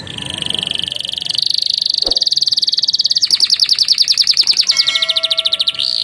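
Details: Canary in full song, a training song filled with phrases of Javan tesia and bar-winged prinia; continuous high, rolling trills that speed into a fast pulsed rattle, then a few steady pure whistled tones and a final rising note.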